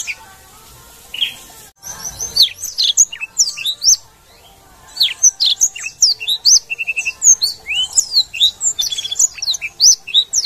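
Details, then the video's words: Black-throated canary singing energetically ('gacor'), with two short pauses early on, then rapid high chirps, whistled slurs and a brief buzzy trill run together in a dense, lively warble. "blackthroat gacor"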